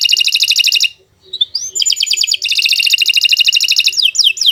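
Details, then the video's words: Canary delivering long, fast song for training other birds: a rapid rolling trill, a short pause and rising whistle, then sustained rattling trills finishing with quick descending slurs. "Kicau Burung Kenari 135 II LUAR BIASA GACOR PANJANG Cocok untuk Masteran"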